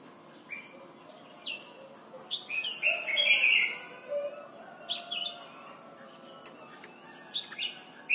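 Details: Red-whiskered bulbul from Thailand, recorded as a training song for young birds: bright warbled phrases around a loud rippling burst near the middle, with short downslurred notes repeating about four times a second over faint background hiss.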